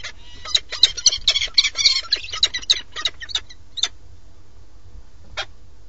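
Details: Peregrine falcon at a nest watched by a live webcam in Alcalá de Henares, Madrid, Spain, as the male arrives with food. Harsh, raspy calls come in a rapid burst of about fourteen over four seconds, then one more after a pause.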